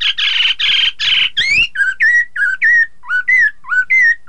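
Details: Chinese hwamei, played to make rival birds sing along: four harsh, buzzy, high notes, then a loud series of clear whistles slurring up and down, repeated about twice a second.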